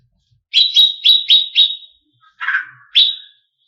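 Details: Greater green leafbird used to provoke competition birds: five quick sharp downslurred chips, then a brief harsh rasping note and one final chip.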